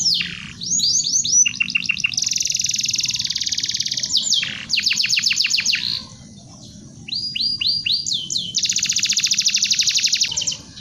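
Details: Canary singing a tutor song meant for training other birds: bursts of descending whistled slurs leading into long, dense, rattling high trills, a short pause near the middle, then the pattern repeats over a faint low background hum.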